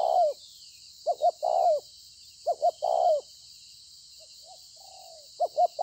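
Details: Spotted dove (bổi) cooing well, 26 September 2020: several phrases of two short notes followed by a longer coo, with a quiet soft fragment in a pause. Even high-pitched hiss underneath.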